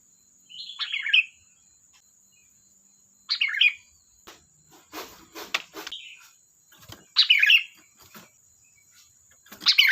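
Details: Kutilang, the sooty-headed bulbul, singing busily: rich chattering phrases about every two to four seconds, with a faint short whistle between, a constant high-pitched whine and several sharp clicks in the middle.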